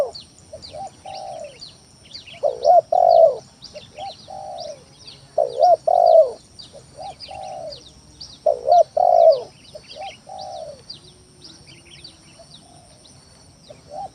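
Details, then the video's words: Spotted dove cooing used as a lure to make rival doves answer: three full phrases, each soft short coos and a sliding note before a loud double coo, followed by quieter coos. Steady chirping of small birds. "Suara Pikat Tekukur Tanah full gacor Nekan lawan"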